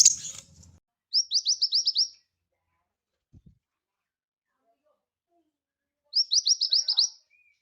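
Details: Scarlet minivet singing vigorously, recorded as a master song for training other birds: two bursts of about seven thin, high, rising whistled notes in quick succession, separated by a few seconds of silence, with a brief human voice at the start.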